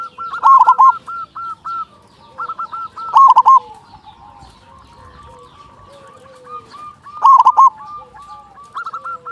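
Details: Big-voiced local zebra dove singing to provoke other zebra doves into song. Three loud, rolling, broken coo bursts are spaced several seconds apart. Quieter repeated notes and low gliding tones continue between them.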